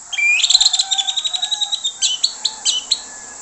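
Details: Orange-headed thrush in full lure song, loud and clear. It delivers a fast, rich stream of high chattering and twittering notes, packed closely and varied, with short pauses near the end.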